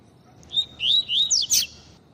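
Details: High whistled call of a female double-collared seedeater, meant to stimulate males: four or five quick thin notes, some rising and some falling, ending in a sharp buzzy burst.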